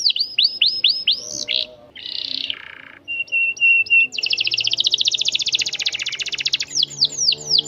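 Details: Canary performing a long roll, offered as a tutor song for young birds. The song mixes repeated downslurred whistles, a short harsh burst, a thin steady tone, and an extended fast rattling trill that ends in more falling whistles.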